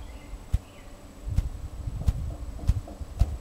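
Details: A male Ruffed Grouse drums in a mating display at Bear Mountain, Dawson Creek, BC, on 5 May 2008: five deep, muffled thumps coming steadily closer together, the start of an accelerating roll, over a quiet outdoor background.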